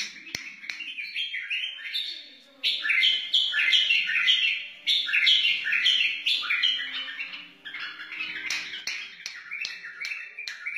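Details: Song of a wild white-eared bulbul, meant for tutoring chicks and stirring other bulbuls: rapid, lively chains of bright whistled notes, rising and falling, delivered in dense runs with short gaps and a low background hum.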